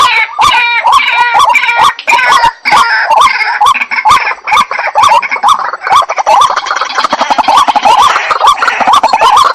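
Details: White-breasted waterhen repeating croaking, upturned notes while a dense, higher chorus of similar calls builds and fills the later seconds.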